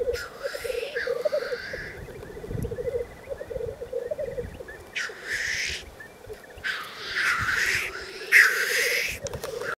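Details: Male black grouse on a lekking ground in the Cairngorms, Scotland: a steady, low, dove-like bubbling rookoo runs throughout, broken by several loud, harsh hissing sneezes.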